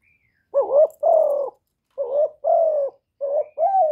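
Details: A spotted dove used as a decoy gives cooing crows to excite rival doves. Three quick two-note phrases: a short wobbling coo, then a longer level or falling hoot, coming about every 1.3 seconds. Nothing else is audible.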